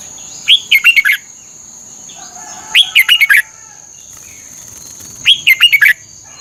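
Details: Red-whiskered bulbul song for training caged birds, Thailand: three similar cheerful phrases, each five or six fast warbled whistles, repeated about every two and a half seconds against a constant high-pitched tone.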